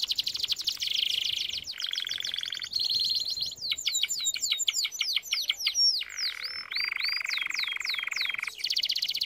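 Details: A canary delivers training song with sharply alternating tours: fast rattles, steady buzzy rolls at lower pitch, rapid downward-swept whistles, then a long deep rolling trill and a final high rattle.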